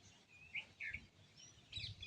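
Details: Morning birds chirping at sunrise: a quick series of high, sharp chirps, three separate notes followed by a cluster of overlapping twittering at the end, with a low rumble underneath.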